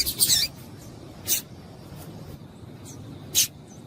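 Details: Calls of a female double-collared seedeater, used to stimulate males: a scratchy high burst at the start, then two clear sharp chips about two seconds apart and a few faint softer notes between them.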